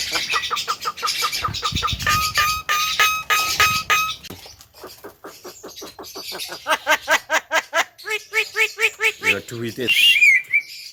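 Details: Javan myna with white eyes, singing energetically: a long varied run of rapid rattling, clicking notes and short harsh chatters, a steady mid-pitched whistle held for a few seconds, then repeated nasal notes ending in a high twisting whistle.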